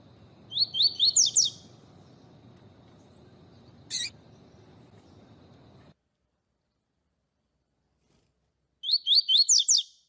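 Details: Double-collared seedeater singing its tui tui song style, used to warm up other seedeaters and as a master song for teaching them. Two quick bursts of about five sharp repeated high notes, separated by a click and steady low hum.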